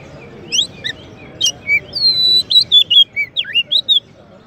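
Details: Champion Oriental magpie-robin (kacer) song, used as a master tutor and to provoke white-rumped shamas: clear whistled phrases, rising and falling slurs, and sharp high notes in a quick varied run, over a low murmur.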